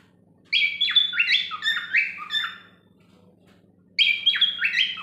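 A cockatiel sings a run of bright, warbling whistles that sweep down in pitch, pauses, then resumes.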